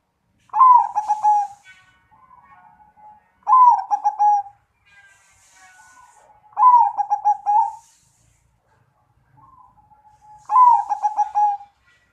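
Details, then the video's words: Perkutut, the zebra dove, with a 'suara gede' big-voice song: four loud, low cooing phrases, each a burst of rolling pulsed notes, repeated about every three seconds, with soft quiet coos between them. "CR0CCING SUARA GEDE"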